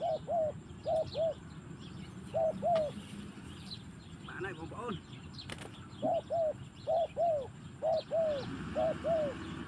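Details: Spotted dove singing in the forest: paired, arched coos repeated in steady bursts about a second apart, with a brief gap mid-phrase filled by a short rustle and faint higher chirping behind.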